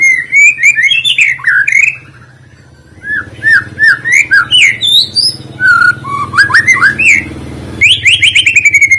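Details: Song of a white-rumped shama meant to trigger other singing birds: fast, rich, tumbling whistled phrases, a two-second quiet gap with low hum, then more slurred whistles and a bright, buzzy trill.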